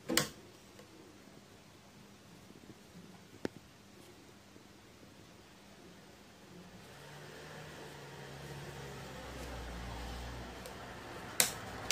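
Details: Quiet room tone with a few sharp clicks, and a low rumbling hum, like a passing vehicle, that swells through the second half.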